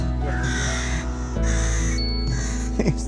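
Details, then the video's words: Rooks at Welney nature reserve, Norfolk, early on a day of birding, very vocal: harsh, drawn-out cawing in a near-continuous chorus, with background music, a low rumble and a voice. "These rooks are so vocal."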